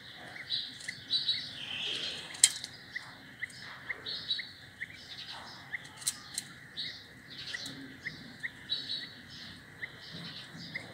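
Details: Grey francolin chicks eating mealworms, sometimes fighting over them, give a steady run of thin high peeps and soft chirps, several each second, with small sharp clicks and faint background noise.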